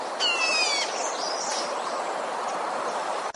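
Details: A red-whiskered bulbul, recorded as a lure call for trapping bulbuls, gives a bright, rich whistled phrase, then a few thin, higher chirps over a steady background hiss.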